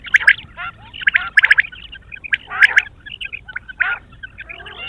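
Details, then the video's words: Several quail heard in the morning, giving quick, harsh chattering bursts and short squeaky notes in uneven groups, loud then fading. "sound of quail is the perfect clear sound for the morning"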